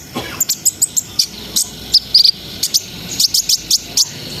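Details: [8, 'Brown-throated sunbird singing in a ngriwik, ngerol and nembak style to raise breeding arousal. Short high chirps about every quarter second, with a quick cluster of brighter whistled notes midway.']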